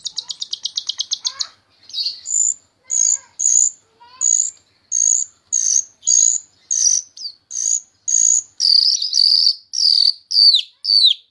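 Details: Myna singing actively, meant to teach rough phrases to birds such as Cucak Ijo, Kacer and Murai Batu: a fast rattling trill, then a steady series of high, harsh buzzy notes about once a second, ending in descending squeals.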